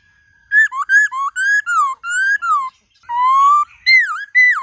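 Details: White-cheeked laughingthrush in rich forest-style song: a soft steady tone, then a chain of loud rising and falling whistles, a long slow rising note, and deep dipping slurs.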